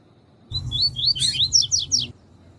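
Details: Double-collared seedeater, a caged bird singing the tui tui style used to train males: a dense rush of about nine rising, slurred whistles, with the last notes climbing steeper, over a low hum.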